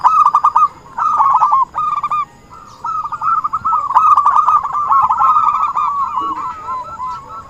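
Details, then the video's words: Zebra dove, actively singing, played as a trapping lure: quick stuttering coo notes in short bursts, then a long unbroken run of rapid trilled cooing. "suara burung perkutut buat pancingan || suara pikat perkutut"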